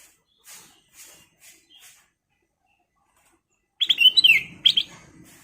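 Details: Sooty-headed bulbul of the golden kutilang emas type in lively song: a few faint soft notes, a long pause, then a loud, bright burst of warbling, slurred high chirps.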